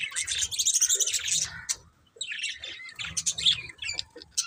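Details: A burst of scratchy, rapid budgie twittering is followed by a near-silent pause, then more high chirps and squeaks resume.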